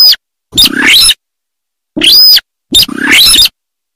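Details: Sintar of rice fields, rendered as loud, harsh, raspy bursts with a thin whistled overtone, three calls separated by abrupt silences of about one second.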